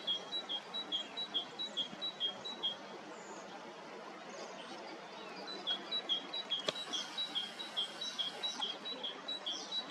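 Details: Bohemian waxwings in spring in Hrodna city, western Belarus, on 18 March 2026, behaving as if lekking and spreading mistletoe; thin high trilled notes repeat rapidly in two bursts with a quiet gap between, over faint low background rumble.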